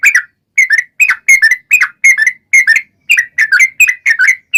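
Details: Yellow-vented bulbul, locally trucukan, in gacor long ropel song used to provoke other trucukan to answer; steady series of short bubbly two-part whistles in quick groups, with short gaps between.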